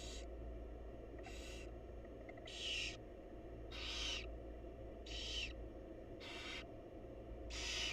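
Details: Barn owl mother feeding her chicks in a wild, monitored nest box: seven rough hissing screeches spread over eight seconds at uneven intervals, against a steady low drone.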